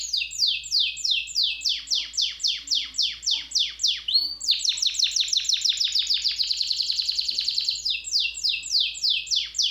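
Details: Canary singing: rapid, high, descending sweeps repeated about three per second. They break into a fast rolling trill in the middle, then return to slower sweeping notes, over a faint low hum.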